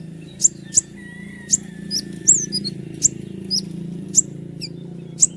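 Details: Common iora giving sharp high 'tembakan' shots: isolated piercing chips roughly every half second to second, a few slurred whistles between, over a steady low humming background noise.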